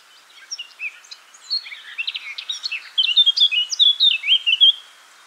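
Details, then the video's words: Eurasian blackcap singing: a soft, scratchy warble of quick varied notes that swells after three seconds into louder, clear fluting whistles, the phrase ending in a rich flourish. "O canto da toutinegra-de-barrete-preto (Sylvia atricapilla)"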